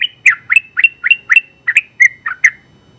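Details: Sooty-headed bulbul, a first-place winner in the general class, singing a long rapid 'ropel' string: quick bubbly chirped notes around mid-high pitch, about a dozen in three seconds, each a short rising-falling twist, with a faint low rumble beneath.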